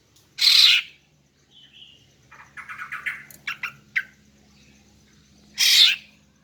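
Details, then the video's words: Female greater green leafbird calling to lure males: loud harsh bursts at start and end framing a run of quick chipping notes and a short whistle in between. "Memikat dan Memancing Burung Cucak Ijo Jantan dengan Suara Betina Ini agar Gacor Mantap"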